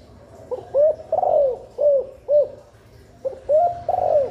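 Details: Female spotted dove call for stimulating breeding: two phrases of low, mellow coos, short clipped notes alternating with longer rolling coos that fall at the end, separated by a brief pause.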